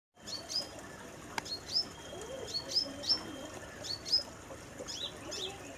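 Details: Brown-throated sunbird (kolibri kelapa) singing vigorously in a mini aviary: thin, high chirps and short sharp whistles repeated roughly once a second, with a faint steady background hiss.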